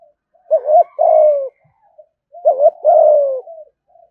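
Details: Spotted dove held as an ornamental cage bird, uttering two thúc gù phrases about two seconds apart. Each opens with a quick double note, then a smooth, low, gradually falling coo that ends in faint murmurs.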